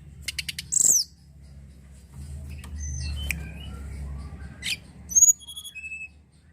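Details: Sunda robin song used as a lure for other birds: a few very high thin whistles and clicks, then a run of clear whistled notes stepping down from very high to mid pitch, over a low steady hum.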